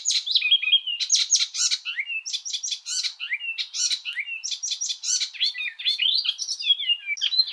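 An Icterine Warbler sings a fast, continuous jumble of varied notes: harsh buzzy chatters, squeaky whistles and mimicked phrases, with rapid repeated figures throughout.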